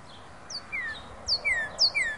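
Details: Northern Cardinal singing in late February 2012: clear, downslurred whistles from high to mid pitch, repeated about twice a second, over soft background hiss.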